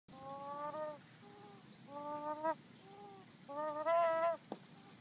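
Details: A chicken making an odd whining noise: drawn-out, tonal, nasal whines, each about a second long, repeated five times in five seconds, some rising at the end, with faint high chirps in the background.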